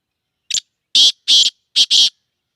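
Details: Black francolin, locally Kala Teetar, in Sindh, Pakistan: five harsh, buzzy, grating notes, a short clipped note, then two longer rasping notes, then a quick close pair, against a silent background.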